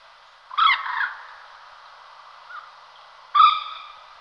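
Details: Common moorhen, a wetland rail, uttering two loud abrupt harmonic croaking notes about three seconds apart, each short and gurgling, with a faint soft note between them.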